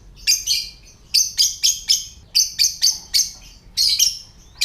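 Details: Ngetik (typing) call of a lovebird, meant to prompt other lovebirds to call and breed: rapid clusters of three or four piercing, high chirps separated by short pauses, very steady and loud.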